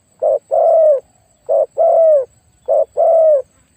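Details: Spotted dove, a decoy with a very big voice, cooing in three regular phrases about 1.2 seconds apart, each a short low note followed by a longer, smoothly falling coo.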